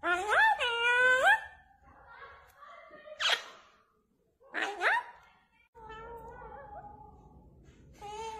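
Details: Parrot calling indoors: a run of loud, wavering harmonic cries, then harsh rising screeches near three and five seconds, followed by softer level tones with quieter gaps between.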